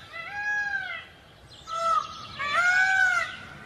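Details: Long, mewing peafowl calls, each a drawn-out, arched, nasal wail. One ends, a shorter cry follows, then a louder, stretched-out wail with faint overlapping voices behind it.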